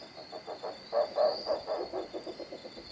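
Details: Rusty-barred owl at Intervales, Brazil, in October 2013, giving a low, frog-like croaking series of about a dozen notes that swells and then quickens, over a steady high insect hiss.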